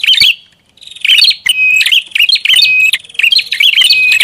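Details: Prinia lure call, described as noisy: loud bursts of rapid, high chirping and twittering notes, each lasting about half a second, repeated four times with short gaps, no other clear sounds.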